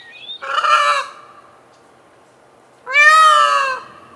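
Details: A male Indian peafowl gives two loud, harsh, nasal wails, each about a second long, with a short rising note before the first. This powerful, high, far-carrying call is likened to the word "Léon" or a human call.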